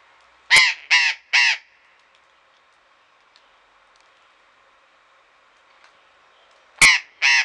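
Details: Harsh, grating squawks of a burrowing parrot, recorded in a Pelhřimov garden, Czech Republic, on a February afternoon in 2018: a quick run of three rasping notes, a long quiet gap, then two more.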